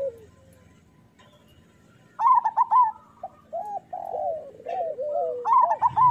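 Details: Local zebra dove song used as a training recording to coax doves into singing; quiet start, then bubbling rolled coos followed by lower drawn-out wavering coo notes.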